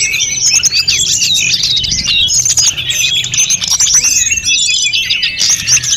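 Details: Snowy-browed flycatcher song used to train other birds: busy, high-pitched chattering twitters and sharp chirps in a nonstop tangle, with brief whistled slides.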